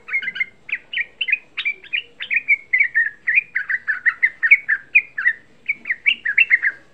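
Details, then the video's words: Young sooty-headed bulbul, a lure song intended to provoke other bulbuls: clear, loud, repeated slurred whistled notes, about two or three per second, in a steady rolling series with a quiet background. "Suara Pancingan Trucuk Muda Ampuh Menaikkan EMOSI, Suara Trucuk Muda Bikin Semua trucukan EMOSI"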